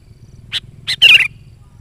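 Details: Single song phrase of a sooty-headed bulbul, used as a call for wild birds: two short high notes lead into a loud, bubbling whistled burst, over a low background hum.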